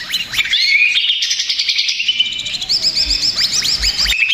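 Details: Greater green leafbird male in a stressed state, for luring rivals: bright sliding whistles and quick chirps, then a series of repeated hooked, downslurred notes in a fast sequence, with faint low thumps in the background.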